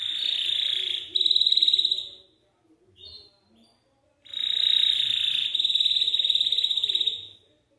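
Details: Belgian canary singing, used to encourage young canaries to sing: long, fast, even trills held high, a brief pause with a few soft notes, then another sustained rolling trill.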